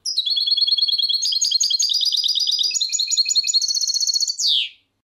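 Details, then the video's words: Goldfinch singing, recorded for playing to goldfinches: an unbroken, high, liquid twittering of varied phrases lasting over four seconds, closing with a loud downward-sliding buzzy note. "Goldfinch Song CD - Clear Birdsong for Goldfinches"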